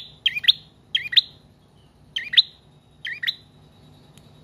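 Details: Bar-winged prinia giving long bouts of song for luring and tutoring cage birds: shrill twin-note chirps, each quickly rising and falling, repeated in four evenly spaced bursts.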